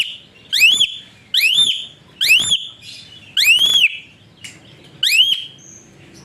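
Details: Loud whistled calls of an Asian pied starling, described as suited for training other birds: five arched, rising whistles at irregular gaps, with a few soft, thin notes between.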